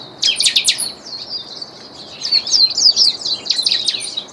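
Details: A trained ultramarine grosbeak (Cyanoloxia brissonii) sings two bursts of quick, high, bright, slurred warbling twitters with a brief pause between phrases.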